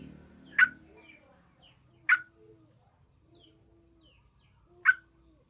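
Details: Yellow-vented bulbul song for triggering other bulbuls to sing: three rough, explosive notes at uneven gaps, a brief low murmur at the start, and faint high chirps behind.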